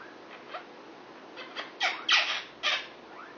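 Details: Six-year-old male pet Indian ringneck parakeet indoors, flirting with a neighbouring female Quaker parrot: a few soft scattered calls build to three louder harsh squawks, each a short burst, spaced about half a second apart.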